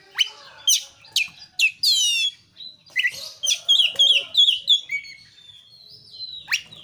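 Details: Oriental magpie-robin singing as a training lure: sharp whistled upslurs and a fast trill, then a series of rapid, repeated chirping notes, ending with a long, thin whistle and a final upslur.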